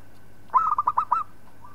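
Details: Local zebra dove singing as a model for training other birds: a single crisp phrase of six fast, pulsing cooing notes, starting with a stronger first note and ending with a soft trailing coo.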